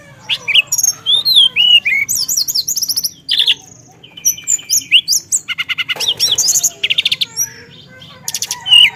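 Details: Busy, rolling song of a Javan tesia mixing imitated phrases: swooping whistles and rattling bursts, a flat buzzy trill, then dense high chatter with fast pulsed notes and occasional clear whistles.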